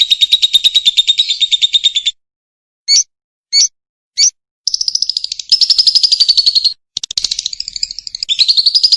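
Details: Lovebird in energetic competition-style singing, recorded as a master sound for training other lovebirds: long runs of rapid, buzzy, high chirps repeated in fast pulses, broken by short separate notes and brief pauses, with nothing else heard.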